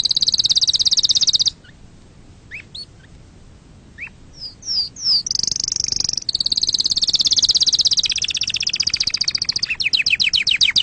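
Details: Fault-free canary song for young canaries to learn: a high rolling trill, a quiet stretch with scattered slurred notes, then a long shimmering high tour ending in rapid repeated chips.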